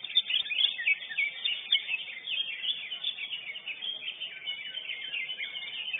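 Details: Lesser green leafbird, champion of a bird singing contest, giving a rapid, irregular series of high chirps and downslurred whistles, roughly three to four notes per second, in a continuous flow.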